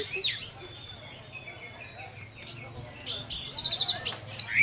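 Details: Orange-headed thrush singing in the 'teler' style, played to lure other thrushes into song: thin high whistles and downward sweeps, soft at first, then loud rapid clusters of sharp notes near the end.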